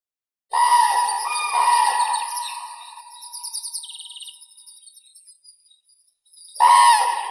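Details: Common crane (Grus grus) giving a loud, ringing trumpeted call with rich harmonics that fades slowly over about five seconds, then a second strong blast begins after a short silence.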